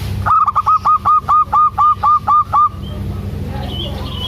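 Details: Local zebra dove, a female calling the male, gives a loud, fast run of about eleven short, clipped notes lasting over two seconds, then falls quiet with a low steady hum behind.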